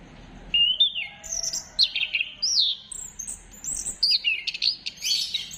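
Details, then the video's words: Orange-headed thrush song offered as a lure to get other birds singing, recorded 15 December 2025: loud, varied whistled and slurred phrases, rising and falling, sung in quick bursts with short pauses, over a quiet background. "Gacorkan Burung Anis Kembang Dengan Pancingan Suara Ini"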